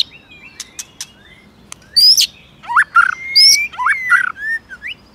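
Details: White-rumped shama giving a many-voiced fighting song to provoke other shamas, clicking continuously and flicking its tail; sharp dry clicks lead into loud whistled and buzzy phrases, rising and falling, in several bursts with short gaps.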